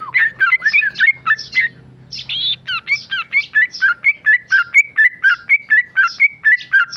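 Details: Tame male sooty-headed bulbul, kept caged, singing quick chirpy whistles, a brief break, then a buzzy burst followed by an even run of repeated bright notes, about four per second, over a faint low hum.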